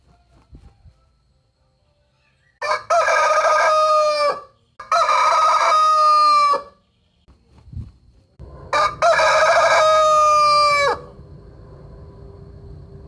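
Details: Rooster crowing three times: each crow is a loud, harmonic-rich call lasting about two seconds, held level, then dropping sharply at the end. The crows are separated by short pauses, with faint low background noise between them.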